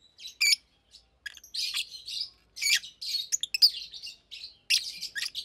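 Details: Chirping and singing by a pair of caged adult Fischer's lovebirds in daytime: sharp high chirps, short pauses, then bursts of squeaky twittering and buzzy chatter.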